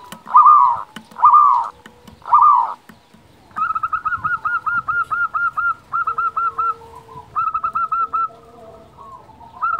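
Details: Local zebra dove in strong song, used to excite and lure other doves into singing. Three broad, drawn-out notes come first, then long runs of rapid, regular short coos in several phrases.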